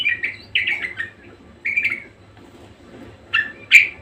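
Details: Budgerigar giving short clusters of harsh chirps and squawky notes, separated by brief pauses, ending on a louder sharp squawk.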